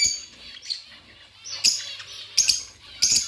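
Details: Pet budgies give a soft twittering murmur with three sudden, loud, sharp chirps spaced under a second apart, above a faint low hum.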